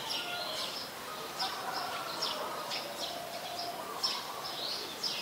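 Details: Brown-throated sunbird pair, male and female, in Ubon Ratchathani, Thailand, on 3 January 2021, filmed with a Nikon P1000; quick downward-sweeping high chirps sound every half second or so over a hissing background with soft lower tones.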